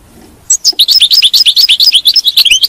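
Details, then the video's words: Continuous European goldfinch batbata twitter, meant to keep a captive goldfinch in song: over two seconds of fast, tinkling, slurred chirps at a steady, dense pace. "تغريد الحسون، بتبته الحسون، لجعل حاسونك لا يتوقف عن التغريد"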